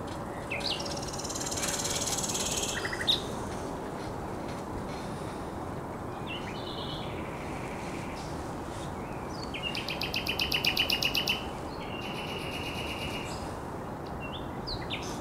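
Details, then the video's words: Common nightingale singing by the Żerań Canal, 1 May 2021: varied phrases of whistles and rasping notes, then a loud fast trill around ten seconds followed by more whistled fragments, over steady low hum. "Śpiew słowika rdzawego"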